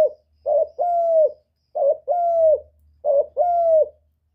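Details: Spotted dove call meant to stimulate birds: three rapid repeated phrases about every 1.3 seconds, each a brief trembling coo then a long, smooth, slightly falling coo, clean and close.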